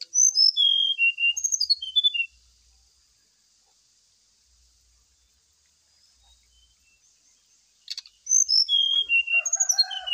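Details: Brown-chested jungle flycatcher song used as a lure for caged birds during morning dew airing: a quick run of high, falling whistled notes, a long quiet pause, then another fast varied burst over a faint constant hiss.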